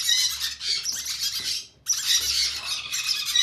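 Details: Conure chicks being hand fed produce a dense, harsh rasping squawk, one sustained bout, a brief silence, then another equally loud bout.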